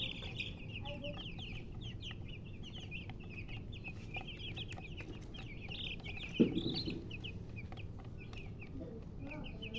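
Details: Baby chicks chirping constantly, many overlapping short high peeps in rapid runs, one brief knock or thump midway, low background rumble throughout.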